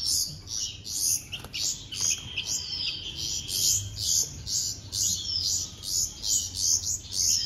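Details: Young bulbuls being hand-fed call insistently, giving sharp, high chirp bursts about twice per second throughout, evenly paced.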